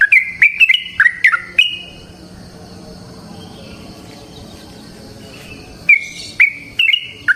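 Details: Yellow-vented bulbul lure song in the 'ropel panjang' style: a quick cluster of bright chirps, then about four seconds of low background hiss before the notes resume.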